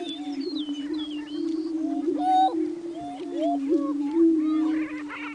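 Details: Greater prairie chickens booming on the lek at Buena Vista Marsh, 21 April 2007; a steady low droning hum runs throughout, overlaid by many whistled, upslurred and looping cackles from the birds.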